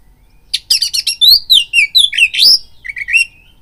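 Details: Oriental magpie-robin (kacer) song used as a lure to stir fighting urge in other males: rapid high chattering notes, then a fast medley of sweeping whistled slurs rising and falling, with a sharp buzzy burst near the end.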